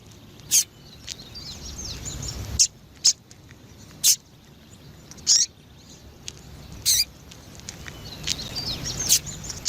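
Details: Female double-collared seedeater, a very vocal captive bird used to stimulate and teach males, giving short sharp high chirps spaced irregularly one to two seconds apart, with low background hum.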